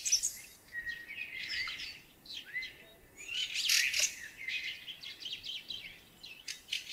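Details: Springtime song thrush song at some distance: varied high chirped and trilled phrases, with brief gaps between bursts, against a faint background hiss.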